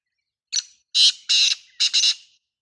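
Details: Lively black francolin call said to get any francolin calling back: a brief scratchy opening note, then two long grating, buzzy phrases and a final doubled rasp, evenly spaced over two seconds, loud and strained.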